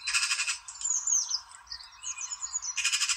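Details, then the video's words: A magpie gives harsh, rapid rattling chatter that opens and closes the phrase, with thin, high whistled and squeaky notes warbled in between. "MAGPIE Dancing and Singing"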